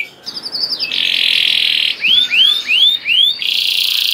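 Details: Singing canary used as a lure to get other canaries singing: a sustained, buzzy, level tone, broken by four slurred falling whistles, then the steady tone returns.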